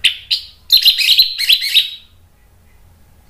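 Orange-headed thrush giving a rapid burst of high, sweet chirps and twittering phrases, then a pause before another short note.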